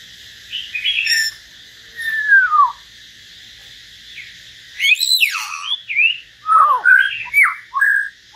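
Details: Common hill myna trading solos with a white-rumped shama: scattered whistles and a long falling slur, then a dense run of sweeping upslurs, downslurs and clear flat whistles.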